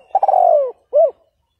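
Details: Spotted dove decoy cooing to lure and provoke a rival, Vietnam; a stuttering lead-in sliding into a long, slightly falling coo, then one short arched note.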